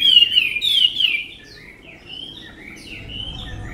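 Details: Tame Chinese hwamei opening with a loud, fluid whistled warble, then continuing with softer, more spaced short whistled phrases rising and falling in pitch.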